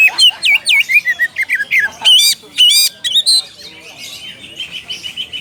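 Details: An oriental magpie-robin calling a rival: a quick sequence of loud whistled slurs and chirps for about three seconds, fading into softer, steadily repeated high notes.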